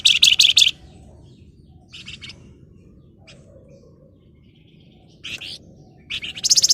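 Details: Flamboyan singing in gacor style, described as ngebren rapat nyerecet: a dense high buzzy chattering burst at the start, scattered short rattles, then rising sharp notes and another tight buzzy trill at the end.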